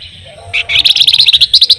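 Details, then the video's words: Flamboyan, a songbird described as lively and persistently rolling and trilling, delivering a brief burst: one soft note, then a fast series of about a dozen bright, high, clipped notes in an even rattle. "flamboyan gacor paling rajin ngerol ngebren"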